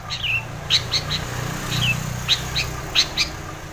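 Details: Energetic 'gacor' singing of a long-tailed shrike, meant to prompt a lazy shrike to sing: a downward-slurred whistle, then a string of brief, piercing high notes with pauses, above a low droning background.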